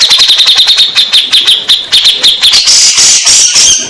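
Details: Grey-cheeked bulbul in a therapy recording meant to make stressed birds answer: continuous rapid, high chattering notes that become a brighter, hissing rattle toward the end.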